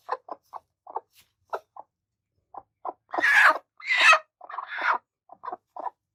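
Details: Angry broody hens on the attack: evenly spaced low clucks, interrupted midway by three loud, noisy, screechy outbursts before the clucking resumes.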